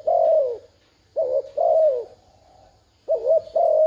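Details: Decoy spotted dove calling to lure wild doves: loud mellow coos, a quick double note then a drawn-out falling hoot, repeated in close phrases with quiet gaps between.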